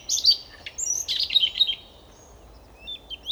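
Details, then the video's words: Siberian rubythroat from the Novosibirsk region of Siberia, Russia, giving a quick high twittering phrase of squeaky and buzzy notes, followed by quiet, then a couple of soft thin notes at the end. "Пение соловья-красношейки"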